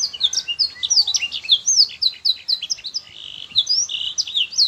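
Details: Canary song used as a teaching recording for juvenile canaries, meant to be looped so the young birds begin singing soon; dense, rapid high chirps and slurred whistles pour out continuously, briefly easing into a steady trill before resuming.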